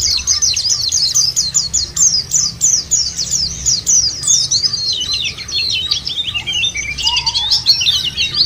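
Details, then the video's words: Continuous squeaky twittering from white-eyes, a lure track meant to make birds sing, with busy overlapping phrases and a brief lower whistle near the end. "puter ini jangankan pleci burung lain aja pada gacor"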